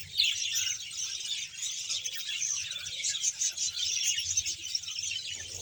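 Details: Bahawalpur budgerigar colony of some 100 pairs: busy, overlapping high twittering and rapid chirped warbles from many birds, continuous throughout, with a low background hum.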